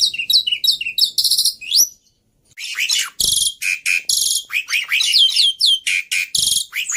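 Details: Black-winged starling tutor and lure song with varied, easy-to-learn phrases: quick squeaky whistles and buzzy notes, a short silence, then dense grating phrases alternating with clear rising whistles.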